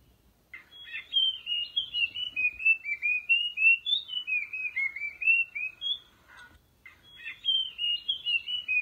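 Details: Orange-headed thrush song used to draw birds in: a clear run of sweet whistled phrases wavering up and down, about four notes a second, pausing briefly before starting again.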